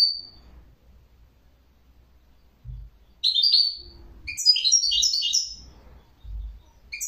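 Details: Songbird singing: a short high whistle, then bursts of rapid, tinkling, twittering notes after a pause, with faint low thumps underneath.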